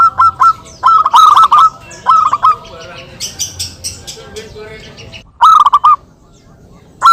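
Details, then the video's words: Local zebra doves actively calling back and forth, recorded for use as a trapping lure: quick bursts of staccato cooing notes separated by pauses, with faint softer bird sounds between them. "perkutut lokal gacor suara saling saut"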